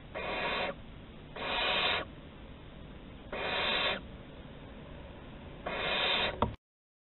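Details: Barn owls of Théding, 11 August 2020, in corridor exploration: four rough hissing screeches, roughly half a second each, spaced one to two seconds apart, ending with a sharp click.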